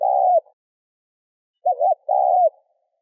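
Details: Spotted dove cooing to rouse a decoy bird: one long level hoot, a silent gap, then a wavering short note and another drawn-out coo that falls at the end.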